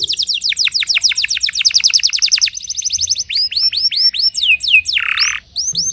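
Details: Timbrado canary practising its song in the early morning, a long fast trill of falling notes giving way to slower looping whistled notes, with one brief buzzy burst near the end.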